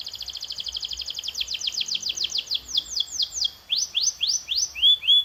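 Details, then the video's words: Canary training song, opening with a dense rapid trill of repeated chirps that slows into clear falling swoops and then rising slurred whistles, ending on short high notes. "This Sound Will Make Your Canary the LOUDEST in the Neighborhood"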